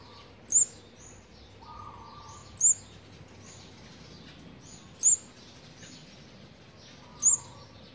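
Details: Fourth-brood olive-backed sunbird nestlings at feeding time on day eighteen, March 2020: four piercing high-pitched chirps, spaced roughly two seconds apart, over faint background hum.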